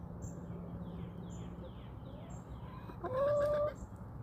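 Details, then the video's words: Backyard chickens roaming outdoors; one drawn-out tonal call, slightly rising and held for about half a second, over a steady low hum, with faint repeated descending chirps of other birds in the background. "Backyard Chickens Ambience"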